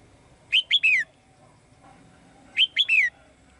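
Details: A caged female bird sings brightly to summon a male, giving two identical phrases about two seconds apart. Each phrase is three quick, clear, falling whistled chirps.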